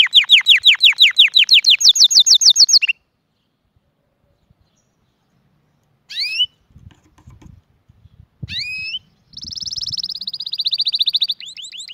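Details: Canary song for teaching chicks and stimulating mating. Fast repeated rising whistles and a rapid roll, then silence. Brief upward-sweeping notes break through soft low thumps. A high pulsed trill closes the clip.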